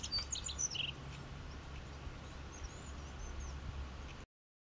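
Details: A rock bunting at La Plataforma, Candelario, gives thin, high chirps, first a quick cluster and then a few faint, scattered notes, over a steady low rumble of wind.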